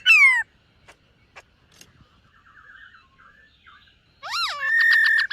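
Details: Silver-eared laughingthrush in morning song practice while dancing. A loud downslurred whistle opens, followed by faint soft twittering, then a swooping rise-and-fall whistle and a rapid buzzy trill of stacked notes at the end.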